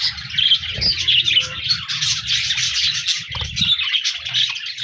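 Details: Chirping, singing budgies on 14 January 2024, giving loud bursts of scratchy, rapid high chirps that blend into a constant warble, with occasional low knocks and hum.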